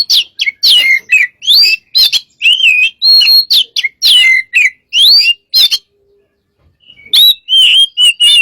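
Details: Lure recording of a gacor Oriental magpie-robin: quick series of clear whistled notes and downslurred phrases, then a short silence before more spaced, clipped whistles resume.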